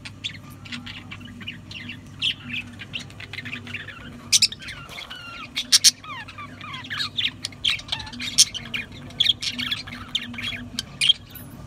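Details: Budgerigar warbling, with sliding whistled notes rising and falling mixed with sharp clicks and squawks in scattered bursts, and a low hum throughout.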